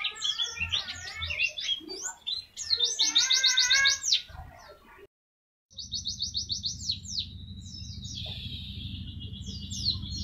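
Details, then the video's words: Tembakan-style song of a Mountain white-eye, used as a training recording: bursts of very rapid, high, buzzy trills, a brief pause, then more fast trilling over a steady low hum. "MASTERAN TEMBAKAN BURUNG PLECI"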